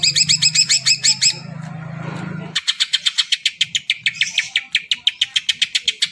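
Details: Greater green leafbird singing to prompt birds that have not yet sung: rapid looping high notes, a brief rush of noisy sound, then a long, steady series of evenly repeated sharp chips.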